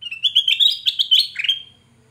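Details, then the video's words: Kutilang emas, the black-crested bulbul, in lively full song used as a lure for trapping other birds: a quick run of bright, bubbly whistled notes, rising and falling, ending in a downslurred note and fading. "Suara burung kutilang Emas Gacor//Pasti Cocok untuk Pancingan"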